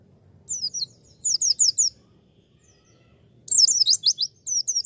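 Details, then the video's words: A Javan white-eye sings in quick bursts of very high, twittering slurred notes, several phrases in under five seconds, over a faint low hum. "MASTERAN PLECI PEMULA"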